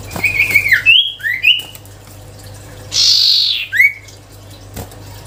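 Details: Melodious whistling from an actively singing sirtu songbird of the cipow type: a warbled run of bright notes, upward-sliding whistles, a loud harsh high burst, then a final rising slurred note. A low steady hum continues throughout.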